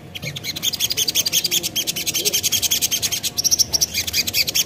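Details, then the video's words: Spiderhunter (sogon) lure sound meant to make other birds respond. A dense, rapid chattering stream of high, ticking notes pours out without pause. "Burung Sogon Manapun Bakalan Langsung Nyaut Dengar Suara Sogon ini"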